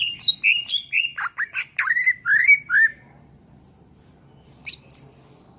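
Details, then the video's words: Greater green leafbird (cucak ijo) singing a lively master song for training other songbirds: a run of loud slurred whistles and chattering notes over about three seconds, then a pause and two brief sharp notes. "SUARA MASTERAN CUCAK IJO GACOR.buat masteran burung kicau"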